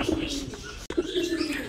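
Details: Domestic pigeons cooing at night inside their loft, with low, steady, humming coos running through, briefly broken by a sharp click near the middle, then resuming.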